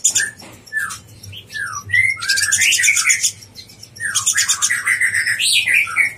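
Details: Konin blorok, chatty master song meant to rouse other konin: short downslurred whistles followed by long scratchy, buzzy twittering phrases mixed with warbled notes, running almost continuously.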